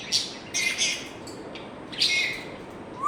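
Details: Pet African grey parrot giving clipped chirps and short whistled notes in small bursts, with one sharp upward slide at the very end, over a quiet indoor background.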